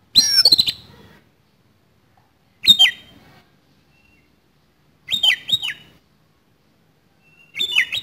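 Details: Oriental magpie-robin (kacer) singing in fighting style with coarse fill-in, a kept-bird training recording: a raspy opening burst, then three shorter phrases of clear whistled downslurs and harsh chips, spaced roughly two and a half seconds apart.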